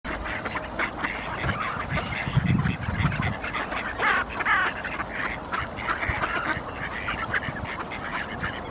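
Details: A wintering flock of mallards foraging after finding food in Helsinki, Finland, in February 2019 gives overlapping nasal quacks and soft chatter, with a louder burst of quacking near the middle, over low rumbling background noise.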